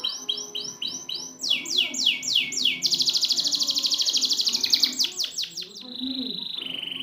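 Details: Canary song used as training material for birds that won't sing: clear down-slurred whistles repeated in sets, then a fast rattling trill, more slurred notes and a steady high tone at the end.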